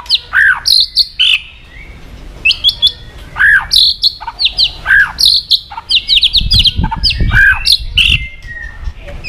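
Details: Provoking aggression, a White-rumped shama sings varied phrases of loud arched whistles and sharp high notes, repeated about every second, with a low rumbling thump near the end.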